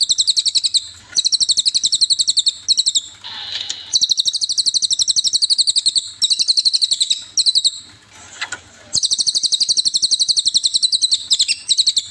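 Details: Cililin song recorded as a master track for training songbirds: very high, fast chattering trills of sharp repeated notes, about eight per second. The bursts last one to three seconds and are split by brief pauses with softer scratchy notes.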